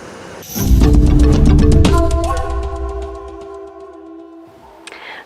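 Low rumbling engine and steady sustained tones like music fill the clip, with no animal voice standing out.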